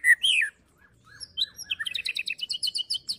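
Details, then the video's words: Fighter song of a white-rumped shama, meant to rouse other shamas: a loud slurred whistle, a pause, then scattered soft notes building into a quick, steady series of high chirps. "MURAI BATU PASTOL FIGHTER PEMANCING EMOSI MURAI BIAR NGEPLONG"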